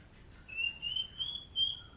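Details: White-rumped shama, golden shama type, sunned in the morning, gives a quick series of four pure high whistles, each slightly higher than the last, with little background sound.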